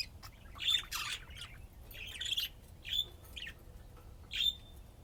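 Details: Budgerigars at play: a handful of sharp, high whistled chirps and squawks about once a second, separated by short raspy bursts and quiet gaps.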